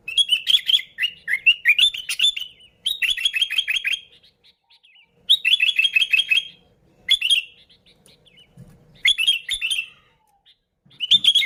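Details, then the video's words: Sooty-headed bulbul (kutilang) recording meant to lure bulbuls: lively bursts of rapid, bubbly chirps, each a run of five to eight quick notes, repeated with short pauses for the whole stretch. "Suara Burung Kutilang Gacor ASLI Tanpa isian, Ampuh untuk Pikat Kutilang bikin kutilang Ribut gacor"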